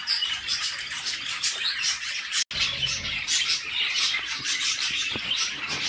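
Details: Budgerigar chicks in a nest box begging while their mother feeds them: dense, raspy, high squawking chatter pulsing continuously, with one brief silent break partway through.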